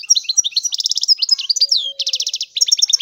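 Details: European goldfinch in full song, a dense run of high, tinkling twitters mixed with fast buzzy rattles and slurred whistles, with a faint low whistle underneath.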